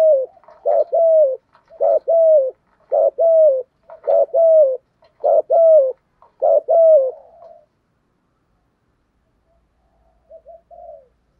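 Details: Spotted dove cooing meant to rile rival birds into calling back: a steady run of paired low coos, each phrase with a longer falling note, repeated about once per second, then a pause and a faint soft coo.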